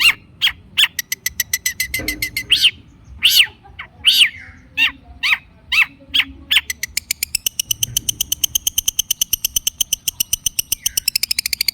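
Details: Long-tailed shrike singing as a lure for caged birds: varied loud slurred and harsh notes, then a long rapid chattering trill that gradually climbs higher.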